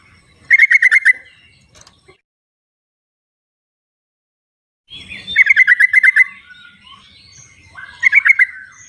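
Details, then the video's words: Wild sooty-headed bulbul, a recording for luring silent birds into singing. Fast bubbly trills of about eight liquid notes arrive in clusters, with a long quiet gap between the first burst and the later ones. "suara trucuk di alam liarnya buat panggilan trucuk yang tidak mau bunyi"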